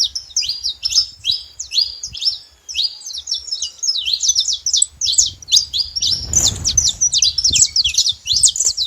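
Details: Saffron finch pouring out a long, energetic song of high, sharp chirping notes and rapid trills, growing denser toward the end, with a brief low rustling noise midway.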